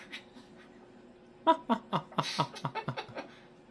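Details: A pet cockatoo, grumpy with an attitude on the morning of a vet visit and eating bread, lets out a quick run of harsh, laugh-like bursts, about four a second, after a quiet start; a person's voice is heard nearby.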